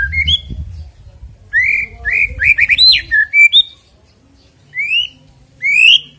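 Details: Shama song used as a contest lure to trigger singing: clear rising whistles in short runs, a jumbled cluster of slurred notes midway, then spaced single upslurred whistles; faint low rumble at the start.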